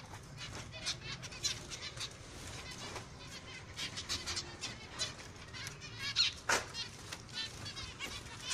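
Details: Overlapping finch calls, a constant flurry of high, nasal chirps roughly three per second, with a few louder sharp notes standing out over a low hum.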